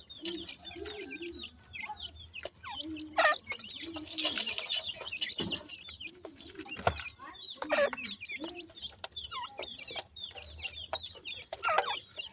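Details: Young partridge chicks feeding, giving many thin high peeps and short chirps mixed with low soft clucks, over a background of clicking and pecking noises and brief louder bursts.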